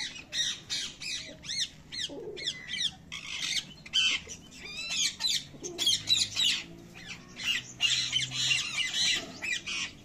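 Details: Parrot chicks calling continuously: rapid, harsh, raspy squawks and bent squeaky chirps, dense and repeated several times per second, over a low rumbling background.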